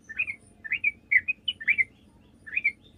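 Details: Sooty-headed bulbul song, recorded for use as a lure to draw answers from other bulbuls: spaced, liquid two-part chirping phrases with short pauses between them, set over a faint low hum.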